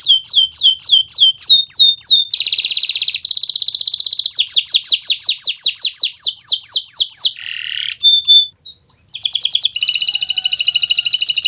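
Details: Full-voiced Kenari Nusantara canary, used to teach other birds their song: crisp descending whistles, a rolling buzzy trill, more downslurred notes, a low rough phrase, then a high trill at the end.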